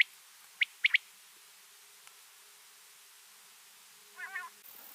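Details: Rain quail, known locally as changa, giving three sharp, high, clipped notes in quick succession early on, the last two close together, followed later by a softer wavering note over a quiet background.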